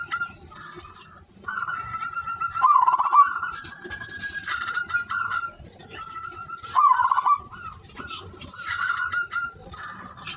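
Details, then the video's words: Silver zebra dove, actively singing: a steady whistled note near one pitch breaks into a quick, rolling, warbled trill, repeated in phrases a few seconds apart, with a busy hiss of other high chirps and rustle behind. "perkutut silver gacor"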